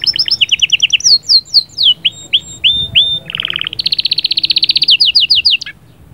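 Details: Canary singing to stimulate the female: a fast twittering run, slurred downward whistles, a low buzzy rattle, then a long rapid high trill ending in a sharp drop.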